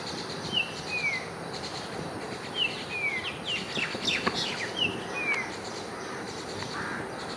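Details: Common myna parents, mother and father, feeding their small young at IIT Bombay give short, clear downward-sliding whistles about every two seconds with a few sharp clicks, over steady background hiss.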